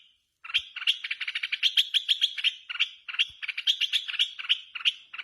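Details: Singing red-whiskered bulbul in a song contest, let out of doors: dense, fast sequences of clear warbling notes with harsh buzzy edges, two long phrases divided by a brief gap.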